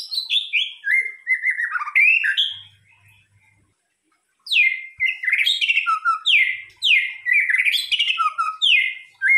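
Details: White-rumped shama, murai batu, used as a lure song, delivering loud varied whistled phrases with sweeping and falling notes, a pause midway, then a rapid series of rich repeated slurred whistles.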